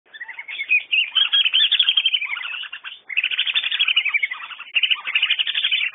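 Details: Whistling duck calls: dense, overlapping high whistled chirps in rapid runs, nearly continuous with a short break near the middle, as if several birds call together.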